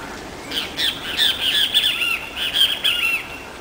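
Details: Yellow-billed teal (Anas flavirostris), one of a pair at the São Paulo Botanical Garden, Brazil, recently arrived: a quick run of squeaky, nasal, slurred notes, about eight in three seconds, high and chattering over faint outdoor hiss.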